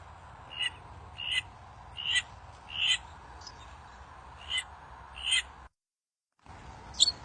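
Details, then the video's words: Wild bird in song, said to prompt replies from other birds: short clear high notes repeated roughly every three-quarters of a second over a noisy hiss, with a brief break before a final note. "Burung kincir angin di alam liar suara bikin burung lain cepet nyaut"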